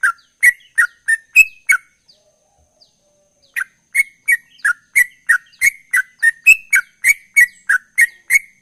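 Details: Ropel-style song of a sooty-headed bulbul, described as chatty: rapid clipped chirps at about three per second, a pause of over a second, then a longer unbroken run of the same sharp, even notes.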